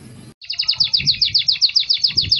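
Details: Belgian canary song meant to warm up young canaries: after a brief pause, a rapid even series of sharp chirping notes repeated about six times per second.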